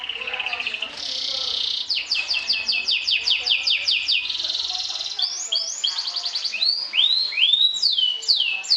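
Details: Champion kenari sobek canary trilling to provoke rivals: a steady whistle, a fast series of slurred notes, another level tone, then rapid rattling trills and loud curved rising-falling sweeps.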